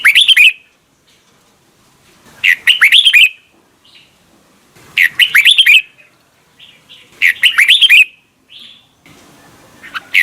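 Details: Morning song of a red-whiskered bulbul in the "âm kép già rừng" double-note style, phrases of bright rising-and-falling whistles recurring roughly every two and a half seconds, with faint chirps in the gaps.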